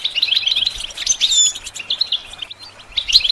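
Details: A goldfinch's twittering song for training songbirds: quick chirps mixed with thin drawn-out whistles and a short pause, then the bright chatter picks up again.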